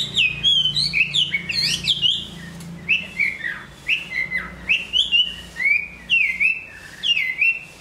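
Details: Chinese hwamei, large in build, praised for singing and fighting, completing its new coat of feathers; rich, varied whistled phrases with swoops and twirls. The bird pauses briefly, then gives a steady series of rolling downslurred whistles, roughly two per second.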